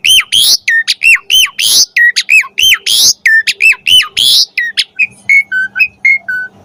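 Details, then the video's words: Asian pied starling (jalak suren) pouring out varied song for training pet birds: rapid repeated hooked whistles alternating with harsh raspy notes, about two per second, then softer descending whistles at the end. "Suara Jalak Suren Gacor Full Variasi"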